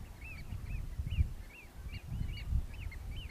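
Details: Eurasian oystercatchers displaying on Terschelling near Hoorn in 2015: clear arched, ringing 'kleep' notes repeated about every third of a second, slightly uneven, over a rumbling wind background.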